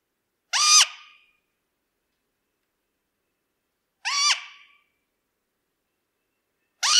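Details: Great grey owl (Strix nebulosa) producing harsh, high, rasping screeches, each short with a fading tail, repeated roughly every three seconds, with no other sounds.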